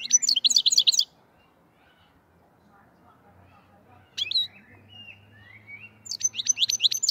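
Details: Singing black-headed goldfinch from the Fergana region (Andijan, Kuva): a short burst of fast, high, jangling notes, about three seconds of near silence with a faint low hum, a few sharp chirps and thin whistles, then another twittering burst.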